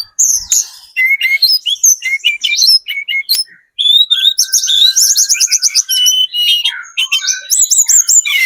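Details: Lure song of a spotted mountain-form Sunda robin meant to provoke other birds into answering: dense, rapid, varied high-pitched twittering and whistled slurs, nearly continuous, with a faint steady lower tone in the middle.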